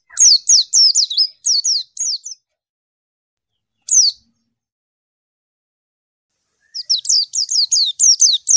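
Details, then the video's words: Rival-directed calling of a white-eye: quick runs of high, sharp notes dropping in pitch, an isolated single note midway, then another rapid chattering series, crisp and clear throughout. "PLECI MANGGIL LAWAN"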